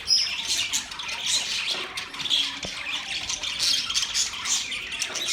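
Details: Budgerigars, pet parrots, keep up a busy mix of scratchy squawks and quick high chirps, overlapping without pause.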